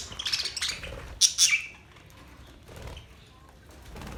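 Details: Budgerigars give a quick run of high chattering chirps and one sharp loud squawk, then fall mostly quiet with faint rustling.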